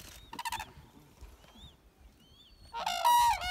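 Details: Red-crowned cranes in winter on Hokkaido, Japan, February 2019: a brief harsh, buzzy harmonic call, a quiet gap with faint thin whistles from other birds, then a loud, sustained trumpeting call with rich overtones at the end.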